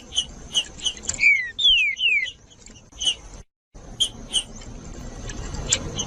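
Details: Green-winged saltator song, played to stimulate other saltators: clear whistled slurs that glide downward, set among sharp, clipped high notes repeated at an uneven pace, with a brief silent gap partway through.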